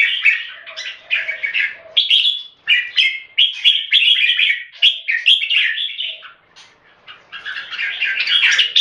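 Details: Two caged red-whiskered bulbuls from Singapore face off in competition singing, pouring out fast, overlapping, liquid chirps and rolling warbles in long bursts broken by brief pauses.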